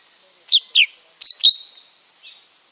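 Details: Lesser green leafbird: two falling chirps followed by two brighter whistled notes, then a faint trailing note, set against a constant thin, high-pitched background drone.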